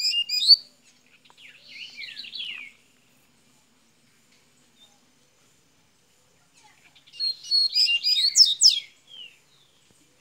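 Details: A Double-collared seedeater from Minas Gerais, Brazil, opens its song with two bursts of rapid high twittering and slurred notes separated by several seconds of silence.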